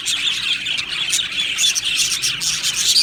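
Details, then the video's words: Happy budgerigars in an aviary colony, a dense wall of high chirps, squeaks and warbles overlapping continuously, with short bright whistled notes standing out now and then above the steady chatter. "Budgie Sounds for lonely Budgies | Happy Budgies Birds Sounds"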